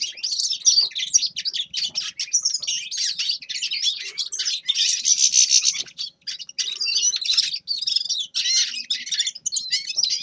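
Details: Rapid, high-pitched twittering song of a grey-crowned goldfinch, with buzzy trills and jingling notes in phrases split by brief pauses.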